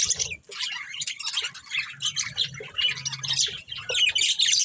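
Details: Breeding pair of budgerigars kept as pets, chattering and chirping continuously with dense, scratchy warbles and short squawks overlapping throughout, with faint low background hum.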